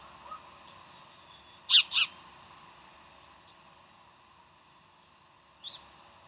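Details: Bald eagle at Decorah on the morning of 15 January 2012 gives two sharp, high squealing chirps in quick succession just before two seconds, then a fainter single note near the end, with constant background hiss.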